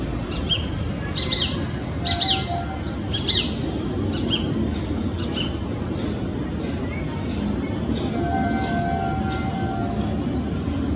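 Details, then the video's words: Female Shikra perched and calling near its nest in Greater Noida, February 2017: sharp, harsh, high notes in short bursts, mostly in the first four seconds. Thin high chirps from other small birds run throughout over a steady low rumble. "Shikra - Accipiter badius (with call)"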